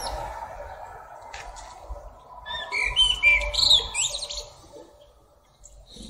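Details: Blackbird (genus Turdus) singing while perched atop a tree: after a quiet start, a brief burst of fluty, warbled phrases mixed with higher twittering notes peaks midway and then fades, over a steady low rumble of background noise.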